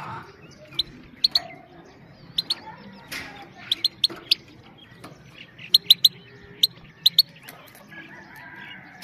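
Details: Female European goldfinch giving 'pit pit' calls, used to stimulate males and train young birds. Short, sharp, high clicky notes come singly or in tight pairs and clusters, scattered over a low steady hum.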